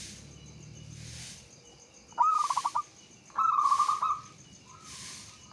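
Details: Local zebra dove singing as a lure to stir other doves into song: two bursts of rapid staccato cooing notes followed by a drawn-out trilled coo, over low background hum.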